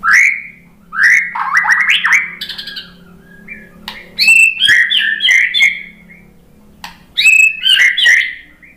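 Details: White-rumped shama singing in reply to a lure: rich bursts of fluted whistles, rapid chattering notes and harsh squawky elements in phrases separated by pauses, over a steady low hum.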